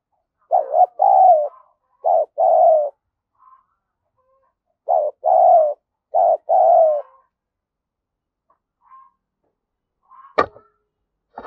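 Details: Lure spotted dove giving 'gáy thúc và gù' calls meant to stimulate wild doves: two bursts of soft, low cooing phrases, each a quick stuttered pair of hollow notes, separated by silence, then a sharp click near the end.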